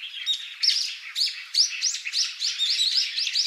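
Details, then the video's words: Wild Taiwan-subspecies Brown-eared Bulbul recorded on Yonaguni Island, Japan, giving dense, shrill, squeaky chirps and quick upward-sweeping notes in a continuous excited jumble. "ヒヨドリ（3）タイワンヒヨドリ（与那国島） - Brown-eared Bulbul"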